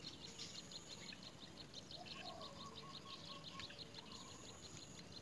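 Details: Near a nest with young, a great myna gives quick, high, clipped chirps in a fast repeated series, while a lower fluttering note and constant outdoor noise sit underneath.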